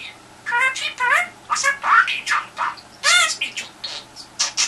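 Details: Indoor pet budgie calling at the telephone for a reply, giving a run of harmonic chirps and rasping squawks with short pauses, some notes sliding upward, all close and clear in a small room.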